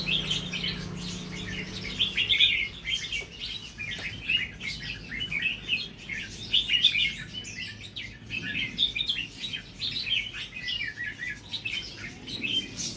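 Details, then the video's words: Natural-style Red-whiskered bulbul starting to sing doubled phrases; a long, busy stream of chirpy warbled notes with few gaps, over a low steady hum. "นกกรงหัวจุกสายธรรมชาติ เริ่มมีเบิ้ลให้ได้ฟังบ้างเเล้ว"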